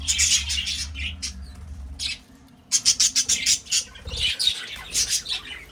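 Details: Breeding budgerigars: scratchy chatter, then a rapid series of about eight sharp, evenly spaced chirps, followed by more mixed warbling from several birds; a low hum fades partway through.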